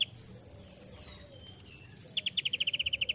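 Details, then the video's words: Van Hasselt's sunbird (kolibri ninja), a lively master recording for tutoring songbirds: a long, very high, thin trill that slowly falls in pitch, then a faster, lower run of rapid chattering notes. "masteran kolibri ninja (konin) gacor full isian mewah"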